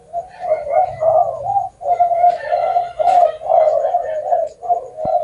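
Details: Spotted dove giving its cooing song with a long ending of nine to ten or more notes; throaty low coos follow one another in grouped phrases separated by short pauses, with a faint click near the end.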